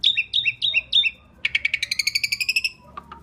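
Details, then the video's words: Loud song of an Asian pied starling, meant as a lure for other birds: five repeated downslurred whistles, then a quick buzzy rattle of evenly spaced notes fading into faint low tones. "Kicau Jalak Suren Gacor Paling Nyaring - Durasi Panjang ISIAN FULL ROLL cocok untuk PANCINGAN"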